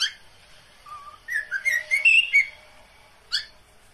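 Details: Pet cockatiel giving a mating call: a low whistled note, then a run of rising and falling whistles with harsh edges, and a short buzzy squawk near the end.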